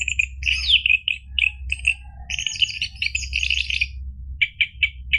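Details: Orange-headed thrush singing gacor ngeplong, played to coax a caged bird stuck in silence into replying: dense chattering and trilled notes in quick bursts, ending in separate sharp chips, with a constant low electrical hum.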